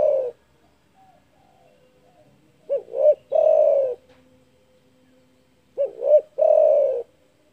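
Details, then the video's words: Spotted dove calling loudly and steadily, a big voice said to provoke rivals: two short rounded coos then a long, slightly falling coo, the phrase given twice about three seconds apart after the end of an earlier one. Quiet background. "DERKUKU GACOR DOR SUARA BESAR MEMBUAT EMOSI LAWAN"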